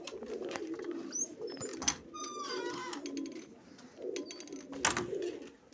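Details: Low pigeon cooing in soft pulses among kept birds whose young fly five hours, joined by thin high chirps and whistles from other birds, plus scattered clicks and bumps.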